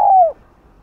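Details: Spotted dove lure song: a single brief mellow coo gliding slightly downward, then silence.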